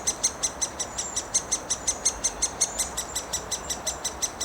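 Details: Great spotted woodpecker chicks in a Wrocław park, Poland, 16 May 2024, calling nonstop from the nest hole as both parents take turns feeding them: high, steady squeaky notes repeated about three times per second, over a continuous background hiss.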